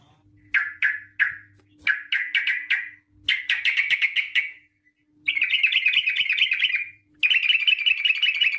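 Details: Sooty-headed bulbul in long rapid 'ropel' song, played to lure bulbuls into singing: scattered sharp chirps speeding into clustered notes, then two sustained dense chattering runs in the second half, over a faint hum.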